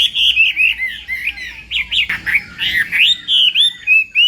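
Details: Chinese hwamei in morning voice training for singing contests, delivering rapid rich whistles that swoop and curl, phrases repeated about three times a second with brief gaps.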